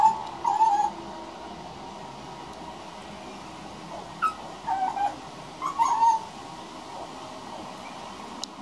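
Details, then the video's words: A juvenile male grey butcherbird practising his song gives soft, short fluted phrases in three brief bursts a few seconds apart, with quiet background hiss. "Butcherbird Singing"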